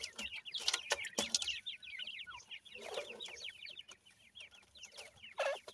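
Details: Francolin chicks accompanied by their family produce a steady chatter of high, short, descending peeps, with occasional low clucks and a few sharp handling sounds.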